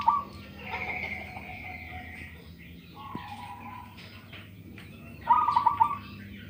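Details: Local zebra dove with a big voice: a brief, faint rapid burst of bubbling coos near the start and a clearer quick trilled coo phrase about five seconds in, over a steady low hum and soft background noise.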